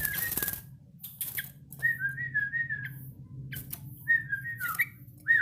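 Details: A young Yellow-vented bulbul works on its song with several gliding whistled phrases, some dipping then rising, broken by sharp clicks, with a constant low hum behind.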